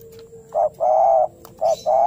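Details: Spotted dove giving a fighting song while looking for a rival: a short coo, a long steady hollow coo, then another short and long pair. A faint steady hum lies beneath.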